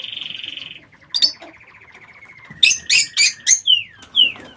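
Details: Captive lovebirds in an aviary: a rapid buzzy trill fading downward, then a series of five sharp shrill squawks at even spacing, followed by two descending squeaky notes.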